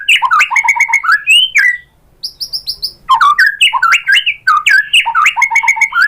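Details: A white-rumped shama in full song, meant to prompt answers from other shamas: rapid jumbled phrases of clipped and slurred whistles, a brief pause with a few high thin notes, then more dense, varied chatter.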